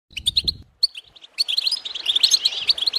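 Goldfinch twittering in quick, bright, high chirps and tinkling trills that run together into a continuous stream, with a soft gurgle of water underneath.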